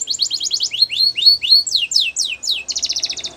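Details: A male canary sings rapid chirps, then slower upward-sweeping whistled notes, and ends on a fast dense trill.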